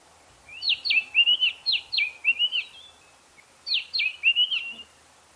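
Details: White-browed scrub robin calling a stuttering phrase of quick high notes ending in a buzzy trill, repeated twice with a pause of about one second.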